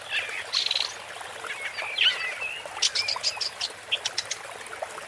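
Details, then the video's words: Woodchat shrike (Lanius senator) singing: a rapid, varied jumble of scratchy chattering notes, short whistles and clicks, mostly high-pitched, delivered in uneven bursts over about five seconds against a faint background hiss. "Woodchat Strike (Lanius Senator) Bird Song"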